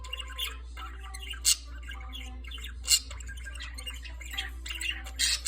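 A budgerigar warbles in a dense, chattering stream of chirps, clicks and sudden harsh squawks.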